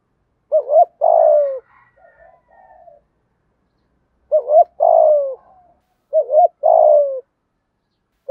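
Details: Spotted dove kept as a decoy, cooing in the morning to lure wild doves: three phrases of two quick looping notes and a drawn-out descending coo, with a faint softer call between the first two phrases.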